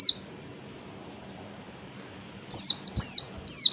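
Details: Oriental white-eye ngalas song used to prompt other white-eyes to sing: one short high whistle, then near-silence for over two seconds before a fast burst of four bright, downward-slurring notes.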